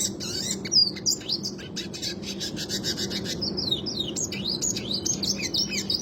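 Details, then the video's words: Classic Red Siskin rolling song for tutoring other songbirds: fast rhythmic high rattles, about three notes a second, mixed with short twittering slurs and buzzy chirps over a faint low hum. "Burung Red Siskin Klasik suara ngerol untuk masteran"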